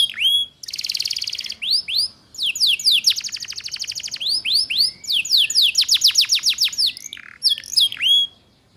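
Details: Domestic canary, described as a female in heat calling males and used to train young canaries in the 'ngeriwik' style. Rising whistled slurs, a buzzy rattle, then quick trills of sweeping high notes with brief pauses between phrases.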